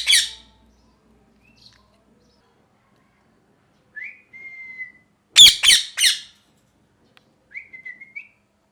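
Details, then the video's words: Harsh parrot squawks alternate with smooth, level whistled notes, a burst of three loud screeches in the middle and a short warbling whistle near the end, with long pauses between. "Parrot Chirping Sounds | Natural Parrot Sounds | Parrot Calling Sounds"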